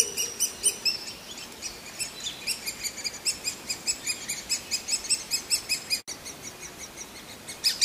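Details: Quieter begging from a hungry great spotted woodpecker chick, high chirps in a rapid, somewhat uneven series, briefly cut off by a short gap, then resuming faintly.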